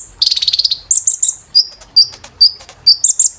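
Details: Training audio of kolibri ninja (brown-throated sunbird) for caged birds: a quick rattling trill, very high chipping notes, then evenly spaced short flat whistles about every half second.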